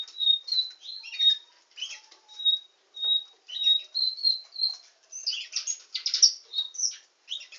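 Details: Nightingale singing canary in full song, with clear level whistles and quick slurred notes in short phrases separated by brief pauses, followed by denser rapid chattering trills near the end.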